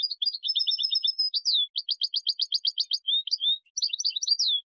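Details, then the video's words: Tutoring recording of a European goldfinch in continuous song: high, liquid twitters run into rapid buzzy trills, then tinkling slurred notes, with no pauses longer than a moment and a clean, quiet background. "Taghreed goldfinch in a very beautiful voice"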